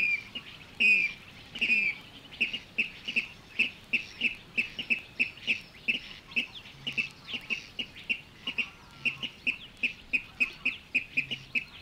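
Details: Water Rail in Matsalu reed beds, field recording: opens with two longer, squealing notes, then settles into a rapid, regular string of clipped high calls, about three each second, continuing for ten seconds.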